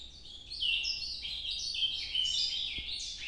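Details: Ultramarine grosbeak singing in the Nordeste song style, called noturno. A continuous run of rich, warbled phrases stepping up and down in pitch. A faint low hum sits underneath.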